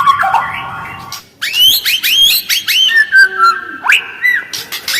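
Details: White-rumped shama used to provoke other birds to respond: sustained tonal notes, then a burst of quick upslurred whistles and buzzy chatter with short pauses.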